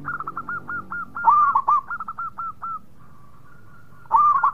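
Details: Local zebra dove singing actively: a fast train of sharp hooked notes runs into a rolling coo phrase, more spaced notes, a quiet spell, then another rolling burst.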